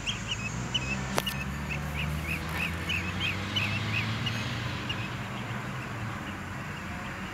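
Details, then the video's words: A chestnut-headed bee-eater gives a quick run of short, rolling chirps, about three a second, over a steady low engine hum and a single sharp click. "Chestnut Headed Bee-Eater"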